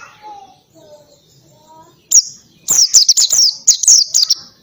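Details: Singing oriental white-eye in ngalas style: soft, lower whistled notes at first, then one loud high note and a fast, rattling series of high, sliding chirps.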